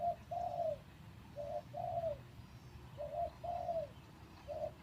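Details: Captive male spotted dove used as a decoy, caged for three days after breeding, cooing low and soft: a brief note, then a longer rolling coo, the pair repeated about every one and a half seconds over a faint hum.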